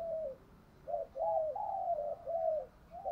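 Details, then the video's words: Spotted dove cooing as a decoy to draw answers from caged doves: a steady series of low, smooth, slightly arching coos repeated about twice a second over a noisy background hum. "chim cu mồi thúc đấu vang cả xóm, mở vdeo lên bảo đảm ở nhà có con bổi nào đều mở miệng hết"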